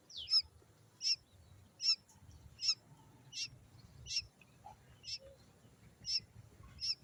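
A quail chick gives high, thin peeping notes, repeated steadily about every three-quarters of a second, over a faint low background hum.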